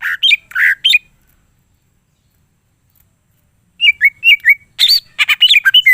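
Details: Greater green leafbird singing loudly in full varied song: clusters of sharp whistled and buzzy notes, squawky bursts near the start, a silent gap, then rapid downslurred phrases and chattering notes.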